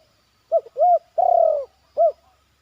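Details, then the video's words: Zebra dove, a young bird being trained, calling in the yard with 'batuk' and point phrases: a clipped note, an arched coo, then a long buzzy falling coo and a final short arched note. "SENANGNYA HATI KALAU AJARAN SUDAH BATUK DAN POIN DI LAMAN...."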